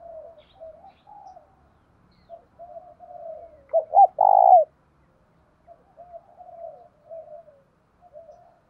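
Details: Decoy spotted dove in the thổ đồng voice style, calling to draw in wild doves. Soft mumbling notes come first, then a quick pair of coos and a long, loud coo, then more quiet warbling murmurs. The surroundings are otherwise silent.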